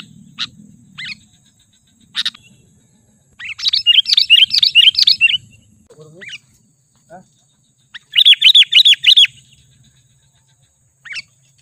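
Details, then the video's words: Sooty-headed bulbul luring call for attracting wild birds. Scattered single chirps lead into two rapid runs of about seven lilting, bouncing notes each, separated by quiet gaps with a few faint clicks. "Suara Pikat Kutilang"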